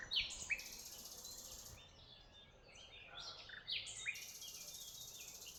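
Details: Tuzla birdsong: scattered high chirps and sharp upward notes from several birds over a steady hiss, quieter in the middle and livelier again near the end.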